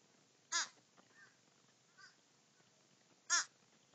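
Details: A group of crows feeding: two loud, clear, nasal caws about three seconds apart, with fainter caws from more distant birds in between.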